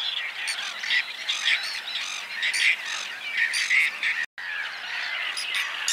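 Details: Whiskered terns calling together: grating, rasping notes overlap in a dense chorus, one short gap of silence near the end.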